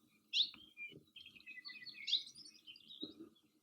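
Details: Hawaii Creeper (alawi) in Hakalau Forest NWR, Hawaii, giving its sharp chick contact call twice about 1.7 seconds apart, with soft twittering between and faint low thumps behind; often in groups of 2 to 4.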